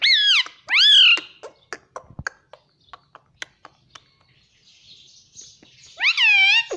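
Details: Pet Indian ringneck parrot talking; two loud harmonic mimicked syllables open, followed by scattered clicks and ticks, faint hiss, and a final loud arched word-like call.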